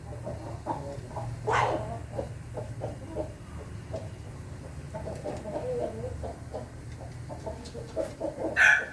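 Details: A red-combed laughing rooster (ayam ketawa) crows on 20 May 2024 in a long run of short, stuttering, chuckling notes, with a low hum and a sharp sound at the end.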